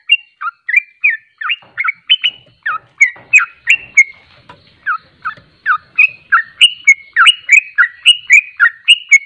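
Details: Fast ropelan singing from a Sooty-headed bulbul, or trucuk: a long chain of loud, slurred, whistled notes, steady and quick. A short quieter patch comes midway, with faint low thumps behind it.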